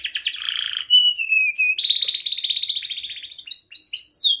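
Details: Young canary in full song, used to train other canaries: varied fast phrases of buzzy trills, pure whistled slurs and rolling tremolos, high-pitched and continuous, in a quiet setting.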